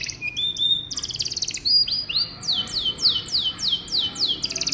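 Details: Canary singing to encourage young canaries to sing: mixed buzzy trills and chips, then a regular string of loud downward-swooping whistles, about two per second, closing with a rapid trill.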